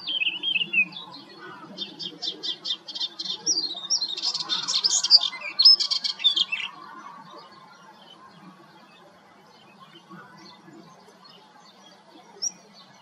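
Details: Melodious warbler singing at Hegenheim, France, in June 2023: a fast, varied six-second phrase of chattering, scratchy and twittering high notes that starts thin and wavering, swells in the middle, then stops, followed by a lone faint note.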